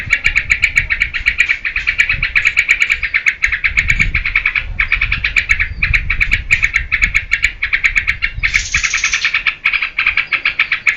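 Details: Actively singing yellow-vented bulbul (trucukan) used as lure and master song for cage birds; long, dense run of rapid gurgling notes with short breaks, a brief harsh high rasp near the end, and low background rumble.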